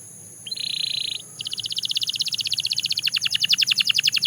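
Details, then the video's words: Belgian canary singing: a flat buzzy note held for under a second, a short pause, then a long fast trill of clipped chirps that widens into deeper, broader strokes toward the end. A faint steady high hiss runs throughout. "The Most Effective Canary Singing Sound – Belgian Canary Edition"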